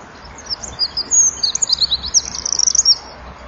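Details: Eurasian wren in the dusk of 23 January 2014, singing loudly at a breeding-wall camera with flapping wings; a short burst of shrill, tumbling notes that builds into a fast, dense trill near the end.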